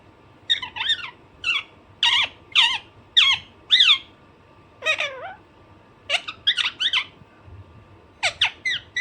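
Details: Harsh, rapid squawks from a pet Alexandrine parakeet, about fifteen sharp notes in nine seconds, some in quick pairs, over a faint steady hum indoors.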